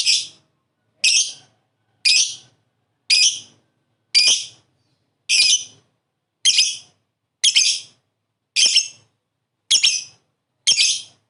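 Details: Lovebird giving its ngekek song, a long rapid chattering trill used as a master recording for training: harsh, buzzy bursts of about half a second repeated roughly once per second, eleven in a row, with silence between.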